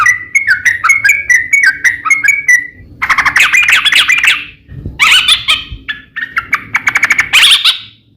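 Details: Yellow-vented bulbul lure song: a clear run of bouncing liquid notes, then harsher, noisy chattering bursts overlapping with more bubbly phrases, louder and more crowded toward the end over a low background hum.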